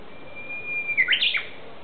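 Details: Japanese bush warbler singing in woodland of the ecology garden at Aoba-no-Mori Park: a long, steady, high whistled note held for nearly a second, then a quick burst of loud, slurred phrases jumping up and down in pitch.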